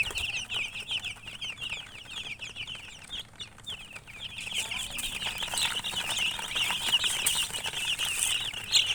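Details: Chicks peeping together, high chirps quieter at first then swelling denser and louder in the second half, with scratchy rustling behind.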